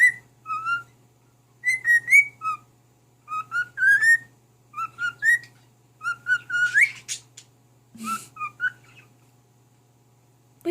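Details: Male household cockatiel whistling a tune to his mate: clusters of two to four clear notes, often rising at the end, a harsher noisy burst near the middle, then silence for the last two seconds.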